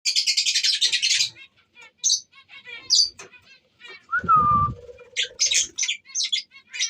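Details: Tame budgerigars chatter with scratchy, buzzy bursts and quick twittering notes.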